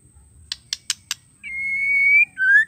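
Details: Four crisp clicks open, then a female White-rumped shama gives a long steady whistle and starts a lower rising note. The call is meant to trigger male shamas to sing.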